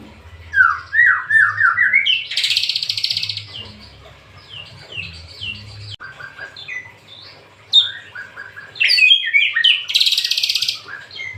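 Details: Singing white-rumped shama: varied phrases of quick downslurred whistles and rapid trills, bursts of harsh buzzy notes, with a low steady hum underneath.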